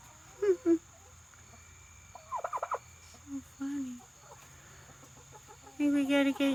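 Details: Female domestic turkey calling at what seems to be her own reflection, taken for another turkey: short hoarse yelps, a quick burst of clicky rattling notes, low drawn-out tones, then a long run of harsh harmonic yelps, with a woman talking softly.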